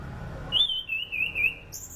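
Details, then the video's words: Orange-banded thrush song used to train other birds: one bright whistled phrase that starts high, then slides slightly lower in a wavering string of connected notes lasting about a second. Soft low background rumble. "SUARA ASLI ANIS CENDANA ..COCOK UTK PANCINGAN AM,AK DAN AC"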